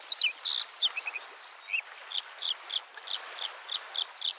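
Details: Spring song of a Bluethroat beside a lake: a few varied high chirps and buzzy notes, then a clipped high note repeated about three times a second, with the soft rush of waves behind.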